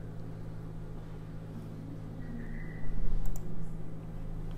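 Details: A steady low mechanical hum fills the clip, with a brief faint tone and a few soft clicks, but no clear animal voice.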